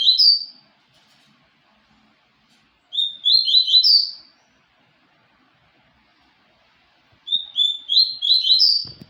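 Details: Papa-capim seedeater singing repeated phrases of quick, high slurred chirps that step upward, three bouts about four seconds apart, otherwise quiet.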